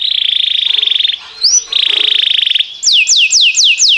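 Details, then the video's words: Timbrado canary singing training song: a loud, steady rolling trill held about a second, repeated after a pause, then a series of high downward-sweeping whistled notes. "Cantar canário faz seu canário cantar"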